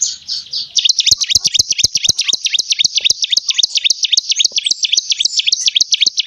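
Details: Bar-winged prinia from Tempuran village, called a local champion, delivering petetan song: a softer opening phrase, then a fast steady string of bright high chirps about four per second, accompanied by sharp repeated clicking knocks.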